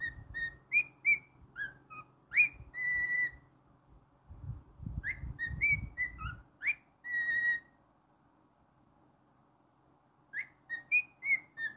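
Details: Pet cockatiel whistling a song indoors: phrases of clear tonal whistles around two kilohertz, some rising sharply, repeated in bursts with pauses, plus low thumping handling noise in the middle.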